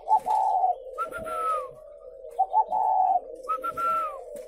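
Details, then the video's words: Captive spotted doves at a breeding farm near Hanoi, Vietnam, alternate rich throaty coos with higher downslurred whistled notes, the pattern given twice in quick succession over a low background hum of other doves. "Thêm 1 cơ sỏ nuôi chim cu gáy hay"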